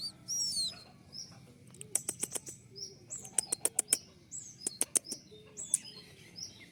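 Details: Newly caught male Javan white-eye, kept while being tamed and learning sounds: a few high, arched whistled chirps amid a series of sharp clicking taps, suggesting wing-flapping or movement in a cage.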